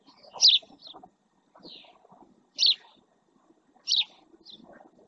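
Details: A male house sparrow near a live camera at El Rocío marsh, Doñana, Spain, gives loud chirps at irregular intervals of one to two seconds, with small softer notes between and faint low rustling.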